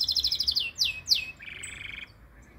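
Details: Canary singing: a rapid series of high, bright notes, then three loud downward-sweeping whistles and a steady buzzy trill that fades out.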